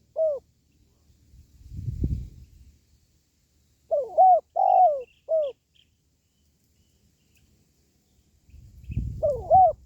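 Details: Spotted dove call, used to boost pet doves or attract wild doves for trapping: repeated clear three-note coo phrases, roughly every few seconds, with occasional soft low thumping noises in between.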